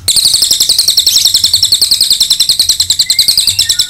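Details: Cililin delivering a continuous 'nembak panjang' burst, recorded to train other birds: an intense, piercing, machine-gun-fast rattle of high notes, pulsing evenly throughout, with a thin whistle faintly behind it late on.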